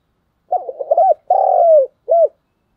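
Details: Spotted dove used as a decoy, delivering a tense 'thúc gù' phrase: a rapid burst of broken low notes, a long even coo falling off at its close, and one short final hoot.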